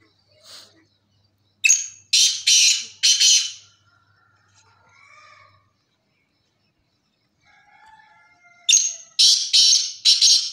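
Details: Black francolin delivering two harsh phrases of three to four rasping bursts, with faint whistled sounds and soft voices in the pause between them.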